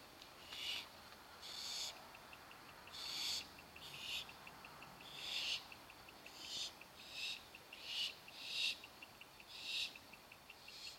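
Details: Barn owl chicks beg while awaiting dinner. Rasping, breathy hisses repeat about once per second, with faint rapid ticking running between them.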